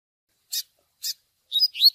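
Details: Double-collared seedeater, TUI TUI style song with chick begging calls for training. Two brief, hoarse peeps are followed by the start of a loud, warbling whistled phrase.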